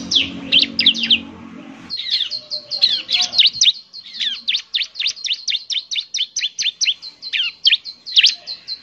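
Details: Bar-winged prinia eager lure song: a few high slurred chirps over a low hum, then a long, steady, rapid series of sharp high notes repeating several times per second.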